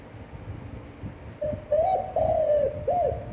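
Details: Spotted dove giving its standard long coo to stimulate decoy birds: a quiet opening note, a rising hoot, a long falling drawn syllable, and a final short arched coo over low background rumble.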